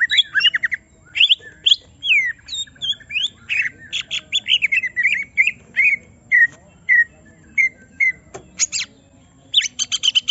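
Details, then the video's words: Caged greater green leafbird stirred up to sing its full repertoire, mixing harsh squawks, sharp clicks and slurred whistled phrases, then a series of short falling whistles spaced about half a second apart. "Semua Cucak Ijo Langsung Emosi Bongkar Isian mendengar suara Cucak Ijo lagi di Trek Emosi ini"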